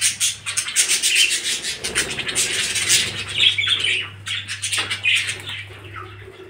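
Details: A budgerigar colony at the start of breeding season chatters constantly, a dense mix of warbling, chirping and scratchy squawks.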